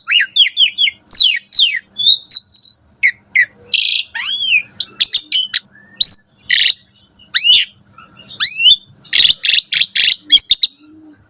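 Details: Asian pied starling in full morning song, played to teach caged starlings: a long, varied stream of fast sweeping whistles mixed with harsh noisy bursts and quick chattering notes, delivered almost without pause.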